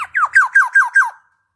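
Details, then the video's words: Black-naped oriole singing actively: six loud downward-slurred whistled notes in quick succession, each sliding from high to low, evenly spaced about every fifth of a second, then silence. "Ada Podang Gacor"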